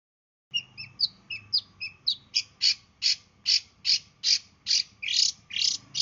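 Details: Long-tailed shrike from East Java singing in the 'sembur' burst style, used as a lure for other birds. After a few short high double notes it delivers a fast run of about fourteen harsh, rasping notes, evenly repeated and rising in loudness.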